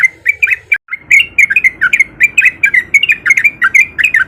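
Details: Sooty-headed bulbul song meant to lure other bulbuls into singing: rapid bright chirps and slurred whistles, a brief break near the first second, then a dense, energetic continuous run of notes.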